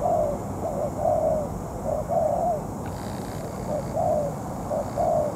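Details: Moulting spotted dove used as a ground decoy in bird trapping, calling against a wild rival: soft low coos in repeated paired phrases, a short note followed by a longer slurred one, about once per second, faint rural background.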